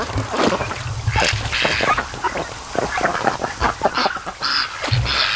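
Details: Several ducks at a lake in the afternoon, mostly resting and sleeping by the mouth of a creek; rapid, raspy quacks and chattering calls run almost continuously over low background rumble.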